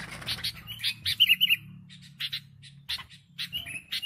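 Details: Lively song of a sooty-headed bulbul used as a bird lure: sharp chirps mixed with short whistled slurs, delivered in irregular bursts with brief pauses, over a low steady hum.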